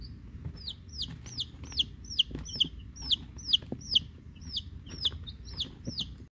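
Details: Week-old Rhode Island Red and Black Sumatra hen chicks plus one mystery chick, collected already hatched; loud, clear descending peeps repeated about twice a second in a steady run, with soft knocks and low background hum.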